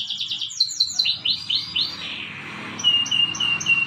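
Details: Canary song for training, in the morning: fast rolling trills and repeated sweeping notes, then a run of high thin whistles repeated about every quarter second, over a low background rumble.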